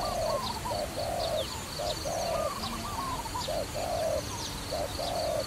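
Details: Trapping dove gives soft hollow coos in pairs, a quick note then a longer one, with a faint higher wavering call and scattered high chirps over a noisy background.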